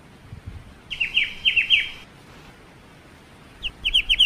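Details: Black-winged starling song used as training material for other songbirds: a brisk series of bright falling whistles, a short pause, then another fast run of similar notes.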